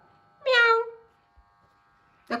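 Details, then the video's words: A hand-tame Alexandrine parakeet attempting to talk gives one drawn-out, falling, meow-like wail, followed by silence and a brief harsh note at the end; a low hum runs underneath. "Handtame Raw Parrot Trying To Talk Clearly"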